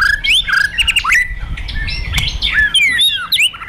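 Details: White-rumped shama in fighter mode, song used to trigger aggression: rich, fast whistled phrases with rising and falling slurs and sharp clicks, tumbling together almost without pause.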